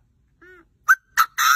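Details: A Chinese francolin crows with three loud, harsh, grating notes in quick succession, preceded by a faint soft whistled tone.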